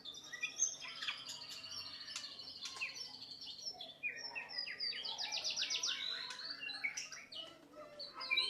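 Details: White-rumped shama, recorded as a masteran for other birds, delivers quick varied chips and whistles, then a rapid rattling trill and more warbled phrases, with a low hum behind.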